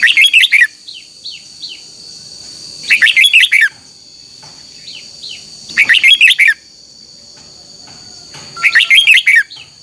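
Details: Red-whiskered bulbul in a morning singing contest used as a lure: four loud bursts of warbled whistles about every three seconds, soft short chirps between, a high steady hum behind.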